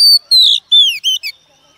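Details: Female Oriental magpie-robin, wild-caught, singing to stimulate males: four or five pure, high whistled notes, long and downward-gliding, then two short whistles, all within under two seconds.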